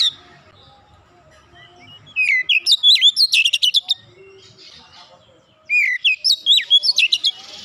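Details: An Oriental magpie-robin in 'nembak rapat' style. After a quiet start, two long bursts of swooping whistles and fast, sharp ticking notes follow, separated by about two seconds of near silence.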